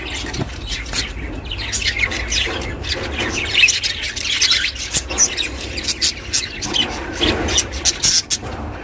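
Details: Pet budgerigar chattering, meant to keep lonely budgies company; softer run of scratchy warbles, clicks and small tweets at an even level, low background hum throughout.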